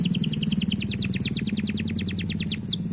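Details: Canary performing a long roll, a steady rapid series of bright, falling whistled notes, with two longer curving whistles at the end, over a noticeable low hum.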